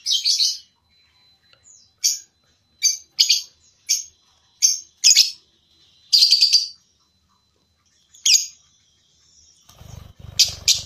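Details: Lovebird chirping for a mastering track meant to teach pet lovebirds to sing for competitions: short, bright, high notes scattered with irregular pauses, some clustered in pairs, and a brief rustle near the end.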